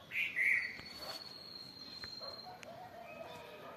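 A bulbul gives a brief bright, fluty phrase of two quick notes, then fades. A thin steady high whine and faint outdoor sounds continue behind.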